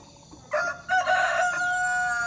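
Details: Broiler rooster, one of two kept temporarily as breeding males in a hamlet, crowing: after a brief quiet start, a loud, harsh crow begins with a short note, then breaks into a long, drawn-out, steady cry.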